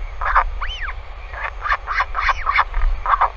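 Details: At night on 20 May 2020, a northern royal albatross parent stays at the nest beside its chick on a live camera: loud rough braying bursts repeated about three times a second, one arched whistle early on, low wind rumble beneath.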